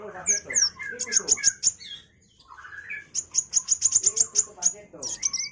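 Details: Sunbird (kolibri wulung) singing gacor-style, recorded as a tutor track for training white-rumped shamas: rapid bursts of very high thin notes in quick series, mixed with lower chattering and whistled phrases.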